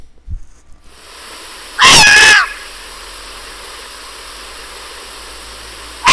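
A Short-eared Owl gives one harsh, raspy scream lasting about half a second, much like a Barn Owl's, and a second scream begins at the end. Steady hiss throughout.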